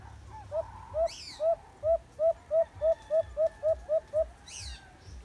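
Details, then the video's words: White-eared brown dove, caught in a cage trap, giving a fast run of about fifteen short hollow hoots, spaced about three per second and slightly accelerating, with two brief high-pitched sounds overhead. "White-Eared Brown Dove (Alimokon/Alimukon"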